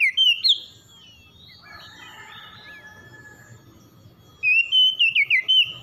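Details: Brief whistled notes from an oriental magpie-robin in the morning open the recording, then after a quieter gap with a soft buzzy note comes a run of warbled whistles.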